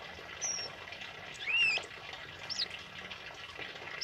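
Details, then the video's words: Tame male kemade singing, recorded for training other birds: a few loud, clear whistles, including a long rising slur and a short looping note, separated by pauses, with faint hiss behind. "Suara Burung Kemade Jantan Jinak Gacor Ngalas Buat Masteran"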